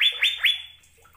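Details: Asian fairy-bluebird singing sweetly: three loud, clear upslurred whistles in quick succession, each flattening into a sustained tone, then a fading pause.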